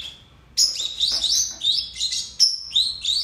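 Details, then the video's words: Pair of pet lovebirds in song, a rapid run of shrill, twittering chirps and short rising whistles packed closely together after a brief pause at the start. "Canto dos Agapórnis"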